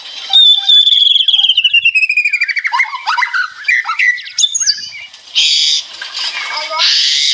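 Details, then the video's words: Ngeretek rattling song of a white-rumped shama, birds answering each other: a rapid falling series of pulsed notes, then scattered whistles and harsh buzzy bursts. "Suara Murai Batu Ngeretek"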